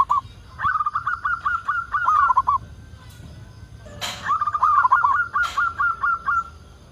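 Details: Singing local zebra dove used to lure other zebra doves into calling: fast rolling cooing phrases of rapid notes, a pause with two sharp knocking sounds, then another quick run of repeated coos.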